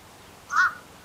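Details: Wild Little Egret during a fight, giving a single short, hoarse, deep croak that rises and falls quickly, with a quiet background.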